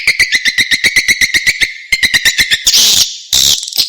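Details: Swiftlet attraction call of the edible-nest swiftlet: quick run of bright, clicking chirps with a whistled tone, then two loud hissing bursts near the end.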